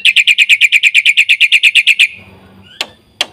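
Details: Black-winged Myna singing a lively varied song meant to stimulate and tutor other birds: a fast even series of sharp, ringing chirps for two seconds, then quiet with two dry clicks.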